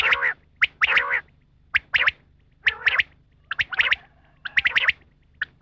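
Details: Rain quail; female call; female call, played to lure quail for hunting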